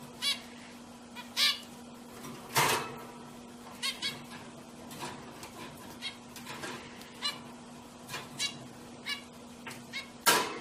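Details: Several pet zebra finches calling: short nasal, harmonic beeps in irregular bursts of one to three notes, about fifty a minute, with a few louder honking notes, over a steady low electrical hum.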